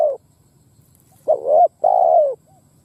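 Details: Spotted dove cooing as a lure to provoke wild doves to fight, over a low background hum: the end of a coo, then a wavering rising note and a long falling coo with a faint after-note.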